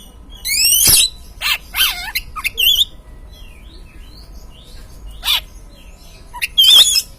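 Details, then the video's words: Lure song of an Oriental magpie-robin, played to spur an untrained caged bird into singing: an opening burst of rasping, chattering notes, a long quiet gap, then a single sharp wavering whistle. "Pancingan Burung Kacer Bahan"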